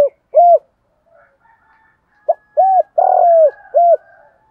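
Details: Spotted dove calling in the field voice, with many call patterns, intended to stir lazy decoy doves into calling; soft hollow coos come in two phrases, a quick clipped note leading into rounded coos and one long sliding note.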